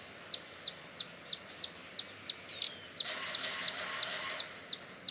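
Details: Hummingbird chipping in a fast, even series of very high ticks, roughly three a second, with one thin descending whistle; a broad hissing noise rises behind the calls for the second half.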